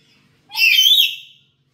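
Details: Single loud, grating shriek of a black-capped lory kept at home, a chatty bird used as a lure, lasting about a second in otherwise quiet surroundings.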